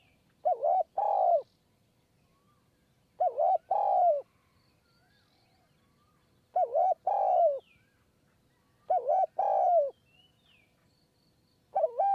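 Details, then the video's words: Spotted dove cooing from a perch in high forest at Kanchanaburi, Thailand, during decoy trapping. A very long cooing bout: mellow, low three-note coo phrases, the last note longest and falling, repeated about every three seconds over a quiet background. "คูบนคอน คูยาวมาก 170 คำ"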